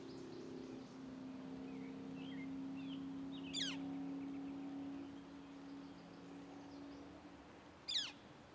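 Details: Northern Flicker chicks call for their parents with two loud, harsh rasping calls about four seconds apart, over a low hum and faint high chirps; recorded 18 June 2023 at Arrowhead Lake, Orland Park, Illinois.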